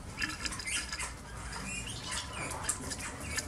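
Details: Five goldfinch hybrids, crossed with canaries and Himalayan greenfinch, twitter in quick, jumbled bursts of high chirps and trills over a steady low rumble and scratchy background noise.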